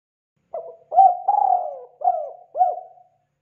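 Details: Lure call of a spotted dove: a soft opening note, then a rich, wavering coo, a longer trailing note and two short rounded coos, all low and hollow, against silence.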